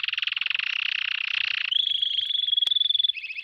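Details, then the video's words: A canary's tutoring song: a dense buzzy roll for nearly two seconds, followed by a long clear whistled note and the start of a fast trill. "meilleur chant de canari pour l'écolage"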